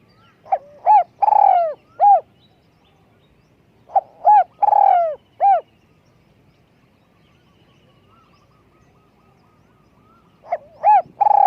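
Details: Small-voiced spotted dove, a decoy bird for luring wild doves, cooing in repeated phrases: quick short notes, then a long rolled, slightly descending coo and a crisp closing note, with a pause of several seconds between phrases.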